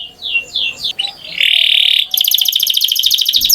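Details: Canary song opening with quick descending whistled notes, then a sustained bright tone and a rapid rattling trill, with a faint low hum beneath.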